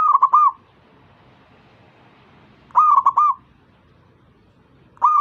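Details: Zebra dove singing to prompt other doves to join: three brief bubbling coo phrases of rapid, rolling notes at an even mid pitch, the middle one standing alone after a long silent pause.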